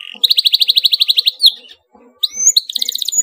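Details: Excited canary delivering a tight rolling song to get other canaries singing: a fast, evenly pulsed trill of about twenty notes, a short gap, then bright whistled notes and another rapid rattling trill.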